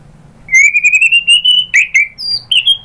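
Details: White-rumped shama song used to provoke a bird into singing, a long sustained whistle slowly rising, broken into rapid pulses, followed by short sliding notes and a final level whistle.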